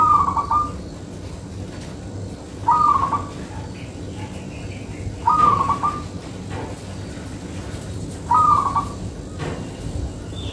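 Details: Zebra dove, a local perkutut singing steadily as a lure bird: four quick, bubbling trilled cooing phrases repeated roughly every two and a half seconds over a constant low background drone.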